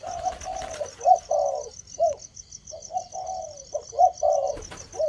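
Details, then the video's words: Spotted dove, cu gáy thổ, beginning to coo in a fairly continuous run of soft hooted notes, some phrases with a bright stressed note followed by a longer falling coo; a thin, steady insect trill sounds high above. "chim cu gáy thổ bắt đầu Bảo gù"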